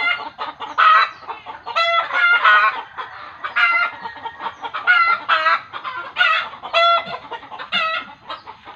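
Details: Village chicken giving an agitated cackling outburst, locally held to mean it sees a ghost: fast, choppy clucks broken by louder squawking notes roughly every second, without pause.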